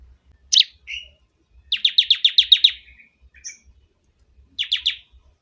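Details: Bar-winged prinia in loud song, used for training or luring birds: a sharp note and short buzz, then a long rapid series of high chips, with a final brief trill.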